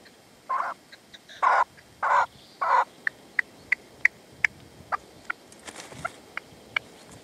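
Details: Partridge calling with a decoy (reclamo) at sunset in the sierra, Manzanares, 27 February 2014; four long, harsh, buzzy notes, followed by a series of short, sharp, thin calls.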